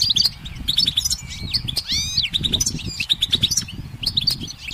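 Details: Goldfinch on a sunlit branch twittering in quick high bursts, with a drawn-out rising and falling whistled sweep partway through, over low background rumble.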